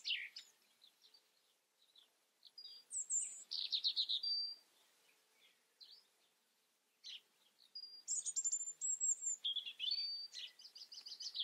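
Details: European robin delivering separate bursts of song with silent gaps between them, each a mix of very high thin whistles, short trills and sliding twittering notes.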